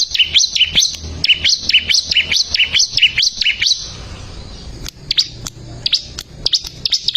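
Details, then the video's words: High, lively bar-winged prinia song on a recording made to teach caged birds: rising-and-falling paired notes repeated roughly twice a second, then scattered short chirps over faint background noise. "ciblek gacor masteran handal"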